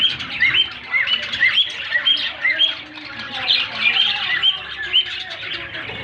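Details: Male cockatiel (Nymphicus hollandicus) calling, giving shrill, whistled chirps, about two each second, over busy bird chatter.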